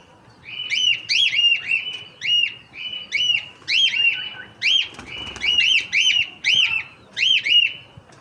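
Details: Hand-tame cockatiel giving a steady series of loud arched whistles, each rising then dropping, roughly two per second over eight seconds, with short chattering notes between and faint room noise.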